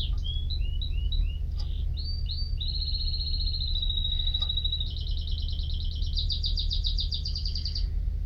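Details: Canary singing a varied phrase: curving whistles, then a long buzzy sustained trill and a rapid rolling high trill, accompanied by a continuous low hum.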